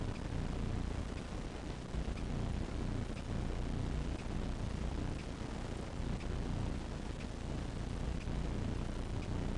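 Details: Steady low broadband rumble, like wind or engine noise, throughout with no animal calls.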